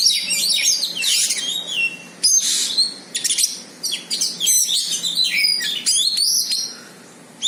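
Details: White-rumped shama singing hard on meeting a rival, a loud varied high song of whistles, rapid chatters and sweeping phrases with brief pauses.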